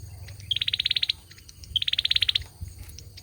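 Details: Song of a male olive-backed sunbird: two fast, ringing trills of about a dozen clipped notes each, opening with a thin high note, over a low background hum.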